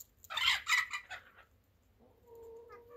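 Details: Chicken giving a loud, harsh, noisy squawk burst in several pulses over about one second, followed after a pause by a quieter, steady, low tonal note; little else is audible.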